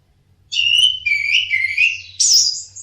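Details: Orange-headed thrush song used to train caged birds to sing: a continuous run of full whistled notes, wavering and dipping, closing with a higher bright burst, low hum beneath.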